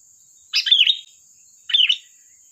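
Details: Sooty-headed bulbul delivering sharp 'tembakan' song meant to attract birds: two mellow, gurgling phrases about a second apart, with a thin steady whine in the background.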